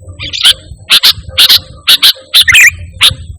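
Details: Active sooty-headed bulbul song with no mimicked phrases, for luring and tutoring pet birds: sharp doubled chips roughly every half second, with one short slurred twitter in the middle, over soft low rumble.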